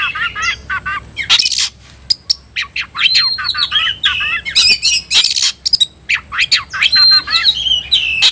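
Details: Oriental magpie-robin, known locally as kacer, provoked into fighting song: energetic mix of whistles, harsh squawking bursts and clicks, delivered in rapid, uneven phrases throughout.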